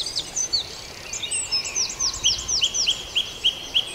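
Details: Birds singing in the dawn chorus at Farndale, where one singer repeats a sharp, falling chip-like note about four times a second. Higher twittering from other birds runs above it, with faint rural background hiss.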